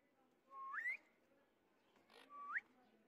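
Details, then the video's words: A white ringneck (rose-ringed) parakeet gives two clear whistles about two seconds apart, each holding a steady note then sweeping upward, in a quiet indoor room. "White Ringneck Parrot"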